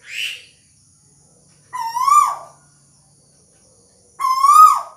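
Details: Little bronze cuckoo held in the hand yet still calling: loud nasal notes rich in overtones, each rising then dropping away, about three in five seconds with silent gaps between.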